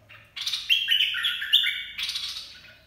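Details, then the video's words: A caged bulbul's 'dok taeng' song, played for training young birds and luring wild birds: one loud fluty phrase of rapid stepped whistles, sliding downward, then a second burst fading away. "เสียงนกกรงดอกแตง เพลงน่าฝึกหัดลูกนก ล่อนกหัยคัก"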